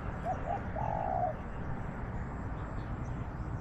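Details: Spotted dove, a small-voiced wild bird in a garden, calling back to a decoy bird during trapping: two quick soft notes, then one drawn-out husky low coo, over steady background hiss.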